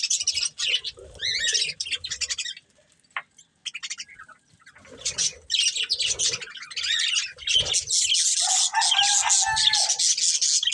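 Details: Chattering warble from a breeding pair of budgerigars while eating: bursts of high, buzzy chirps, a brief near-silent gap, then continuous dense chatter with a lower drawn-out tone near the end.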